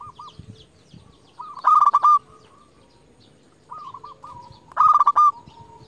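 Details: A local zebra dove kept as a lure to call rivals gives two strong rolling coos about three seconds apart. Each is preceded by softer cooing from other doves, over a quiet background.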